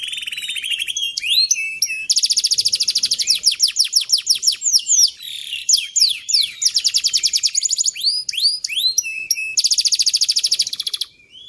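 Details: Canary song for training young canaries to sing with long rolls: dense high trills alternating with upswept whistles and rapid chirp series, ending in a steady tone.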